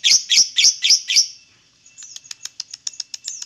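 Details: Lovebird singing to trigger song in other lovebirds: five loud high chirps in quick succession, followed by a softer rapid series of thin ticking notes.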